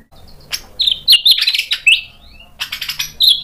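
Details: White-rumped shama (murai batu) provoked into replying with energetic song: bright, high chirped and whistled notes in quick bursts, a short pause, then another sharp burst of twittering phrases.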